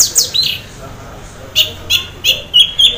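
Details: Anis merah, the orange-headed thrush, half in breeding condition and singing to coax other thrushes into song; short bright high phrases, a few falling whistles and then rapid sharp chips at steady intervals.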